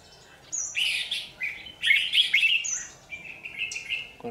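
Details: Red-whiskered bulbul used as a lure bird at a trap, recorded 27 January 2019: bright warbled phrases of short slurred notes, mostly high and varied, in bursts from half a second onward.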